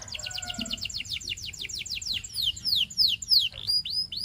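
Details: Singing Belgian canary delivers a steady series of fast falling whistled notes that slow into louder, longer downslurs, then short upswept chips, the singing meant to set other canaries singing.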